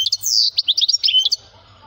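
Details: Brief burst of loud, high twittering from a male goldfinch: quick slurred chirps and a short buzzy note, ending in silence with a faint low hum.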